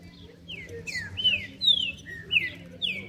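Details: Captive Green-winged Saltator, trinca-ferro, singing in a group warm-up session: a lively series of clear, slurred whistles, rising and falling, about one note every half second, with a low background hum.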